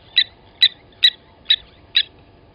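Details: Blacksmith lapwing at Gowrie dam, Djuma Game Reserve, South Africa, 07:47 on 29 August 2020, during a chick killing at the nest: five evenly spaced, ringing metallic notes, about two per second.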